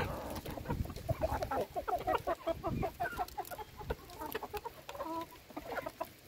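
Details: Chickens being fed: a fast run of short, evenly spaced clucks, roughly two per second, then looser overlapping calls from several hens with some clattering.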